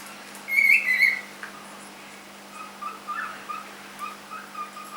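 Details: Young pet cockatiel, three months old, lets out a strong screechy call lasting about half a second, then several faint, short whistled notes follow at uneven intervals against a low electrical hum.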